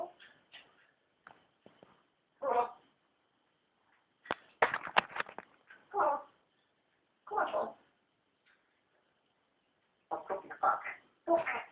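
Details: A newly acquired African grey parrot kept as a pet talks indoors, giving short speech-like phrases in separate bursts, some clipped and some longer and drawn out, with brief pauses between utterances across about twelve seconds.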